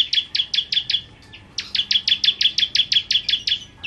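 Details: Bar-winged prinia (ciblek kristal) in full, lively song: two fast bursts of sharp, high chipping notes, each a quick downward-slurred tick, repeated about three times a second with a brief gap between bursts.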